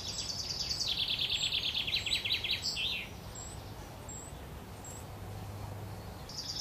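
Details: Eurasian wren nestlings begging as the mother feeds them at the nest, Worthington Lake, Standish, Wigan: a high, shrill, rapidly pulsing chorus of thin calls for about three seconds, then quiet with a steady low background hum.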